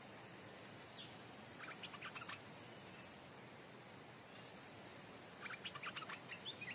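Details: Stripe-throated bulbul used as a decoy bird, a cage-raised bird brought back to where it was caught, where a new territorial bird now lives; two quick bursts of clustered, chattering notes near two and six seconds over a steady high insect buzz.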